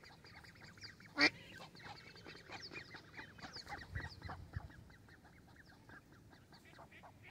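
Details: Young mallard ducks at the shore of Varistonlampi pond in Vantaa, Finland: a scatter of short, faint peeping and quacking notes repeating irregularly, with one sharp loud click early on and low background rumble.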